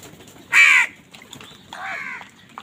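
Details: Crows fighting for food give two loud, harsh caws about a second apart, the first short and intense, the second longer and a little softer, against a quiet background.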